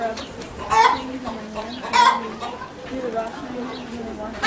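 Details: A fussing chicken gives two sharp, raspy squawks about a second apart, then low, muttering clucks. Faint voices in the background.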